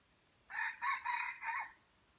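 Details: Red junglefowl from Aceh, an F1 bird with white legs, giving a short crow of four joined harsh syllables over about one and a quarter seconds, the last one falling away; a faint steady high hiss sits behind it.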